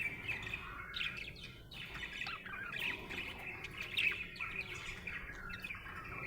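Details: A happy budgie gives a quieter run of chirps and scratchy warbling, with short rising and falling squeaks woven through a continuous chatter.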